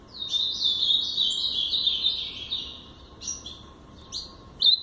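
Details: Blue-black grosbeak, brown-plumaged bird, singing the Paraná song style: a fast warbled phrase of slurred whistled notes lasting over two seconds, followed by a few short separate chirps and a brief closing note.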